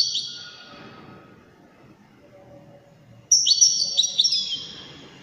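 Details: Goldfinch song: a fading, ringing high trill, about two seconds of quiet, then a sudden lively burst of rapid liquid twitters and metallic notes that tails off.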